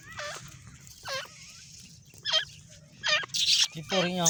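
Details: Female grey francolin giving a few separate looping, U-shaped harmonic calls spaced about a second apart, ending in louder, harsher noisy notes.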